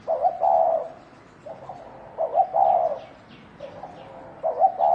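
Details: Thổ đồng spotted dove fighting, giving steady low coos: three phrases of quick stuttered notes and a longer mellow hoot, close together, with faint high chirps from another bird above.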